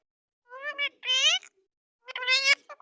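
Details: Pet rose-ringed parakeet, called an Indian red-necked parrot, talking; three short, clear, speech-like phrases with rich ringing overtones, separated by brief silences in a quiet indoor setting.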